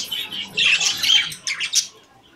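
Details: Budgerigars in a cage give a short burst of harsh, scratchy chatter, rising into squawky notes, followed by two or three sharp squeaks and then quiet.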